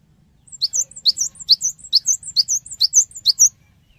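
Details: Cinereous tit song used as a lure to prompt other birds to respond: rapid high chirping notes in paired, sliding elements, repeated roughly twice a second for three seconds, with a faint low hum beneath.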